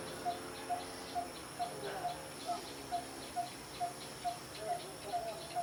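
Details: In Phu Sing district, Sisaket, Thailand, a Coppersmith Barbet repeats a hollow, mid-pitched 'pok' about twice a second in a steady, continuous series, ignoring passing traffic, over a thin insect whine and faint background noise.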